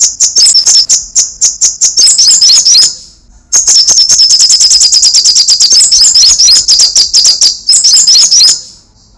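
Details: Lively sunbird, named kolibri sogok ontong or srigati, delivering crecetan chatter in three bursts of rapid, high-pitched, scratchy notes, separated by short pauses, the middle burst longest.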